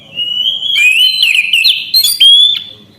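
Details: Orange-headed thrush in full, nonstop song: one long sustained whistled phrase with quick warbled flourishes and rising slurred notes, bright and loud, ending on a clear drawn-out whistle.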